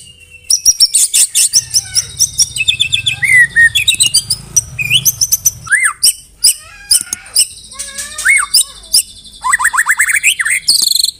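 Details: White-rumped shama in loud, fast song filled with mimicked canary and cililin phrases: dense bursts of high whistles, sharp rising and falling slurs and rattling notes, with a faint low hum partway through.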